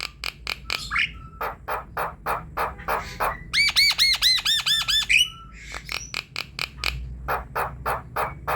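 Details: Javan myna song for prompting a reluctant myna to sing: rapid series of harsh clicking notes, about two per second, broken by a fast run of repeated arched whistled notes in the middle.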